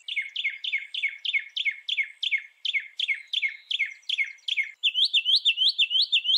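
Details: Northern mockingbird repeating a sharp downslurred chirp about three times per second for nearly five seconds, then abruptly changing to a faster series of high, upswept notes.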